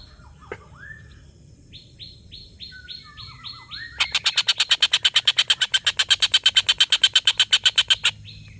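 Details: Soft whistled and slurred notes from a small bird open the recording, then a collared kingfisher bursts into a long laughing series of loud, harsh kek notes repeated rapidly for about four seconds before stopping abruptly.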